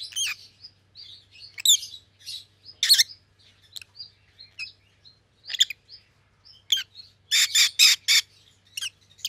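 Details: A steady chatter of high chirps and squeaks from two rosy-faced lovebirds with white-headed opaline colouring, rising into a rapid run of four loud harsh calls near the end.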